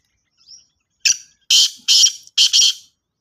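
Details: Black francolin, known locally as kala tetar or Sindhi tetar, calling: a faint high squeak, then a short phrase of loud, harsh, grating notes, three or four in quick succession.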